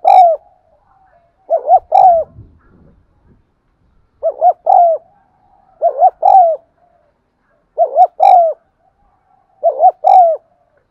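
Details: Spotted dove coo meant to trigger cooing in caged birds: phrases of a quick double hoot and a longer sliding coo, repeated five times at roughly two-second intervals, with faint rustles in the background.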